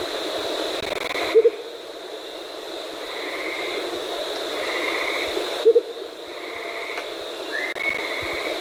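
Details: Andean motmot (Momotus aequatorialis) giving a low, soft double hoot twice, about four seconds apart, over a steady high insect drone and scattered buzzy chirps.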